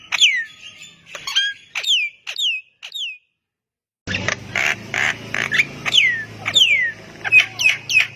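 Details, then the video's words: Javan myna giving insistent song to stir other mynas into answering: several loud sweeping downslurred whistles, a short gap, then harsher grating notes mixed with more falling whistles over a background hum. "JALAK KEBO GACOR BIKIN JALAK MALAS BUNYI IKUTAN NYAUT AUTO RESPON"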